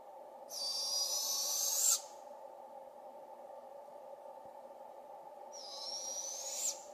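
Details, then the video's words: Two long, harsh raspy hisses several seconds apart from juvenile Barred Owls calling for their parents in a British Columbia forest, with quiet pauses between. "Juvenile Barred Owls Calling"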